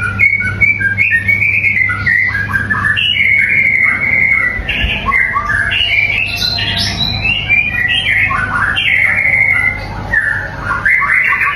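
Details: Caged white-rumped shama singing a varied, loud run of whistled and warbled phrases, rich slurred notes and chattering trills with hardly a pause, over a steady low hum.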